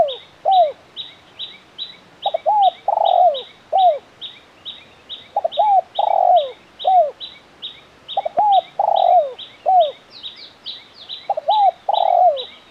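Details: Spotted dove cooing in crisp KUK 1 style, an active champion bird: four phrases of short double notes, a long swelling coo and a descending final note, beneath continuous rapid high chirps from another bird.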